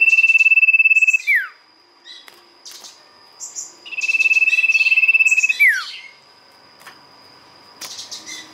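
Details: Sirtu lure recording with two long, fast, buzzy trills, each ending in a downward slur, separated by short high chirps and brief quiet spells.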